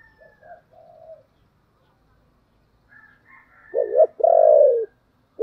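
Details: Spotted dove cooing, played as a lure to make wild doves coo back: after quiet, faint notes, two loud, deep arched coos, the second long and drawn out, with a soft higher twittering from other birds in between.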